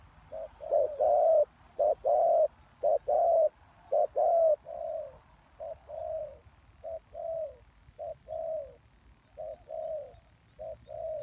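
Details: Lure call of a spotted dove used to draw wild doves: repeated two-part coos, a brief note followed by a drawn-out slightly falling one, loud at first then softer, roughly one phrase per second.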